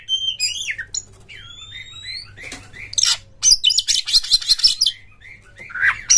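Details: Oriental magpie-robin in full rough song, used to coax other birds to sing, open their tails and sing excitedly: loud varied whistles, rising slurred notes and warbles, then dense harsh scratchy chattering bursts, closing with a clear whistled phrase.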